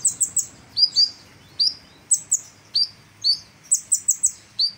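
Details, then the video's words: Kolibri ninja, a sunbird, in full vigorous song for use as a training recording: fast high tinny chirps in quick clusters of two or three, alternating with downslurred whistled notes, over a clean quiet background. "Kolibri Ninja Gacor Masteran Jos"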